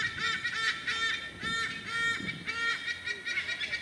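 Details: Raucous calling of wild white-bellied sea eagles in a Singapore nature park; loud nasal honks with strong overtones come in uneven bursts, several overlapping in a noisy chorus with a low murmur beneath.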